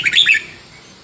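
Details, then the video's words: Young wild Vietnamese red-whiskered bulbul, played to train young birds, gives a quick burst of bright, bubbling notes lasting under half a second. The phrase then breaks off, leaving a faint background hiss. "ลูกนกกรงหัวจุกเวียดนามป่า ใว้เปิดฝึกหัดลูกนกฟังแล้วคึกคัก"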